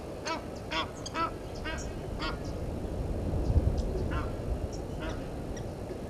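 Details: Egyptian geese at Gowrie dam, Djuma Game Reserve, South Africa, quarrelling with intruder geese; a few loud, harsh honks early on, then fainter, scattered calls over a strong low rumble.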